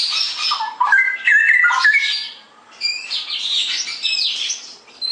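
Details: Straw-headed bulbul singing in the continuous ngeropel style: loud, rich warbled phrases sliding between low and mid pitch, with thin high chirping chatter running above and between the phrases.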